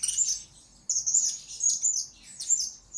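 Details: Blue-crowned hanging parrot kept as a lure bird, recorded as master song for training: dense bursts of very high, sharp twittering and squeaky chirps, three runs over a few seconds.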